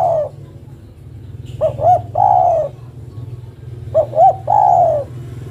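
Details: Female spotted dove calling to the male: two soft phrases, each two short rounded coos followed by one long drawn, slightly falling coo, about two seconds apart, over a low steady hum.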